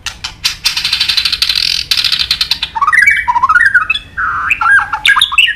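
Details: Murai batu, or white-rumped shama, in energetic isian song: a long buzzy rattling trill, then a run of varied whistled notes that step up and down, ending with sharp high notes.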